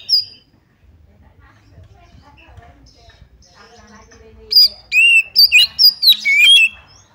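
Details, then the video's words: Oriental magpie-robin song played to provoke another bird to fight and open its tail; a quiet, faint twittering passage gives way to a loud run of sharp, slurred whistles in the second half. "pancingan kacer tarung cari lawan BUKA EKOR"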